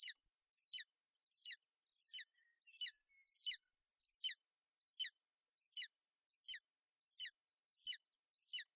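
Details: Female golden eagle on a nest in Bucovina, sheltering her chick from inclement weather on 28 May 2021, calling out while the chick also chirps: about a dozen thin, high, piercing yelps at a steady pace of roughly one every 0.7 seconds.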